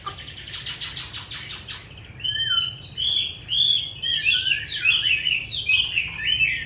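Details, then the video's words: Captive hwamei from Hanoi, Vietnam, noted for its wild-style singing, opens with a burst of fast buzzy repeated notes, then breaks into loud, tumbling whistled phrases with sharp upward slurs. "Họa mi 5633b đẹp giọng rừng hay mau mỏ"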